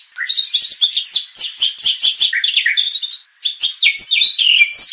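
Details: White-rumped shama song used as a lure to provoke contest birds into aggression and full repertoire; dense, high, varied whistles and rapid twittering phrases, a brief pause near the middle, then more fast, sweeping notes.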